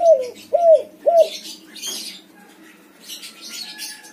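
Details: White-coloured backspot spotted dove singing to lure doves that have fallen silent. Three fast falling coos open the recording. Afterwards, high twittering and chirping from other small birds fill the rest.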